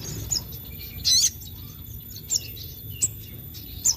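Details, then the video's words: Sogon singing at full strength to excite other sogon: separate high, thin whistled chirps spaced about a second apart, one slurred squeaky phrase standing out, over quiet low background hum. "Bikin sogon lain cepat emosi | Sogon gacor full nembak"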